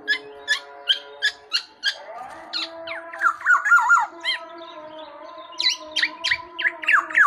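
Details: Tame black-naped oriole giving rapid repeated sharp chips, then looping nasal, harmonic slurred notes and a burst of upswept squeaky calls near the end.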